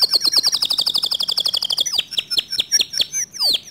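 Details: Canary song said to provoke other canaries into singing: a fast train of high, sharply descending whistled notes, then varied chirps and trills with upward and downward sweeps.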